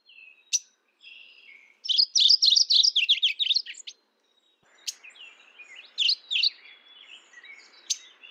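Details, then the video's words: Mourning warbler calling: a rapid two-second run of bright, rolling chirped notes that drops slightly at the end, then a fainter, similar phrase over a soft hiss, with a few sharp isolated ticks. "Mourning warbler Calling"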